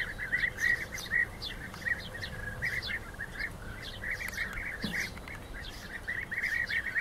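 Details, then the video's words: European bee-eaters, rivals fighting: dense run of short, rolling, burry trilled notes repeated rapidly throughout, several birds overlapping, with faint sharper chirps above and a low background rumble. "Rivalenkämpfe Bienenfresser"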